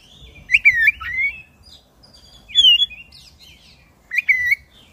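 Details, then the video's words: Caged oriental magpie-robin, black-breasted type, in full song meant to provoke other birds; three loud phrases of warbled whistles with sharp clicks, roughly every one and a half seconds, against quiet low background noise. "ngeroll panjang! pancingan suara kacer gacor dada hitam istimeewa"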